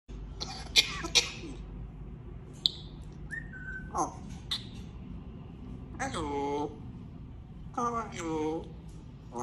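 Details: Pet grey parrot (African grey) talks indoors in short, voice-like bursts mixed with clicks, sharp whistles and a brief descending whistle.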